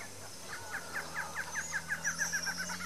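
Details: ['Barred antshrike pair duetting in Brazil: a series of nasal, chuckling notes that speed up and run together over about two seconds. A steady low hum and faint high insect-like tones sit in the background.']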